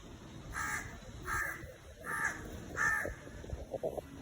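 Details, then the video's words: Indian crow cawing from a tree: four harsh, nasal caws spaced about half a second to a second apart, followed by quieter softer calls near the end, with faint background noise. "Indian Crow Cawing Sound effect//Crow on the tree"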